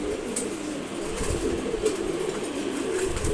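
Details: ['Maxi racer pigeon chick, one month old, said to fly well; steady low cooing murmur throughout with faint background rustling.']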